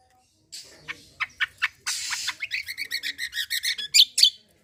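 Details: Cucak kombo delivering tembakan-style bursts meant to provoke other birds to sing: a few separate high notes and a harsh hiss, then a quick run of doubled buzzy chirps ending in two loud shrill notes.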